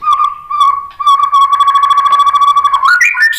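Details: White-rumped shama lure song to get other shamas singing: a long, steady, mid-pitched whistle on one note, later broken into a fast, even trill, ending with a rising flourish.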